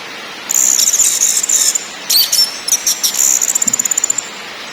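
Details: Orange-headed thrush song with ngakrak, ngeplong and nyiul styles, meant to set birds singing: high chattering phrases and a short upward whistle, ending in a fast evenly spaced run of sharp repeated notes.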